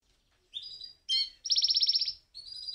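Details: Male canary singing to court a female: short bright phrases, a buzzy note, then a fast rhythmic trill of rising notes, ending with a thin sustained whistle; quiet background.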